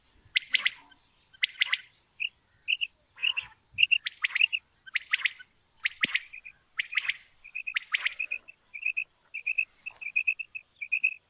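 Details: Female common quail (batair) calls: harsh, buzzy broadband bursts alternate with quick, soft paired notes. The notes become a steady string of couplets toward the end, with no other sounds.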